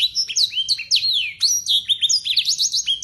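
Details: Short burst of local Yorkshire canary song with blackthroat phrases, loud ringing whistles swooping down and up in quick succession, bright and close.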